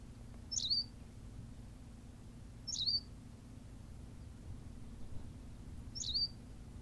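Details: Berthelot's pipit on La Gomera in the Canary Islands giving three short, high, twisting chirps spaced roughly two seconds apart over a steady low hum.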